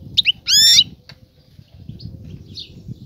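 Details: A female European goldfinch, ready for mating, calls out to draw a male toward pairing and nest building; one bright, buzzy, harmonic twitter follows a short chirp, then faint high notes over a low rumble.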